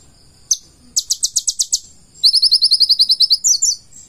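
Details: Purple-throated sunbird (konin), a vigorous full-isian song: one sharp note, then a quick run of about seven high chips, then a faster, thinner run of about a dozen even notes.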